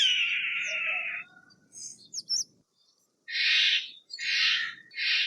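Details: Steller's jay: a drawn-out buzzy, grating note lasting about a second, then a short pause and three loud harsh rasping bursts in quick succession, with faint chips and a low background hum.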